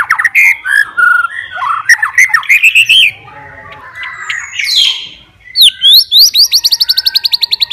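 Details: Fighter white-rumped shama singing to challenge rivals: varied whistled phrases and chips, a brief lull, then high sweeping whistles and a fast even rattle of repeated notes at the end.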